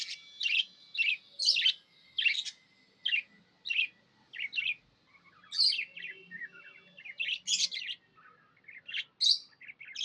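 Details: Pet budgerigar in a happy mood, chirping a steady series of short bright chips roughly every half second, mixed with little warbled trills and squeaks.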